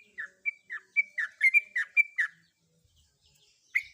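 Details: Breeding female sooty-headed bulbul calling to a male, giving about nine short chirps at a quick, even pace, alternating clear whistled and slurred notes, then a brief silence and one final note.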